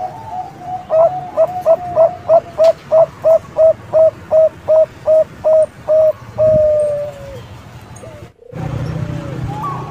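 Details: Zebra dove of the Bangkok type, a prize-winning singer used as a lure for other zebra doves: a rapid string of about fifteen short even coos, then a long drawn final note, with a quieter coo after a brief gap.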